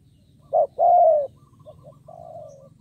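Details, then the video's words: Spotted dove kept as a decoy, calling to attract wild birds: a short note and a long level coo, followed by soft distant dove notes. "Cu Gáy Mồi Cây 5tr THÚC GÙ KÈM BỔI | Cu Gáy Kích Bổi Nhanh Nổi"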